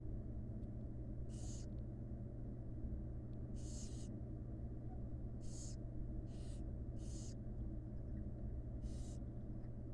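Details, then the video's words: Wild barn owl chicks in a monitored nest box beg as their mother feeds them: six harsh, breathy hisses, each about half a second long, come every second or two over a steady low electrical hum. "Cute Barn Owl Chicks Receive Gentle Feeding from Doting Mommy"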